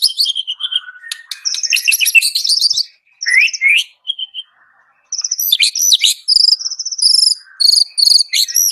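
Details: White-rumped shama delivering high, piercing song phrases: rattling buzzy trills, sharp chips and a rising whistle, a short silence, then quick repeated pulsed trills in clusters.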